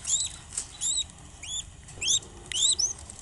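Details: Budgerigar chicks from one clutch giving thin, high, arched peeping calls, some rising then falling, in quick pairs every half second or so, over a faint background hum.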